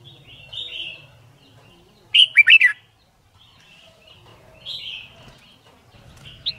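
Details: Red-whiskered bulbul in competition-style song training: one loud, quick cluster of rich warbled notes in the middle, with softer whistled phrases on either side and a faint low rumble.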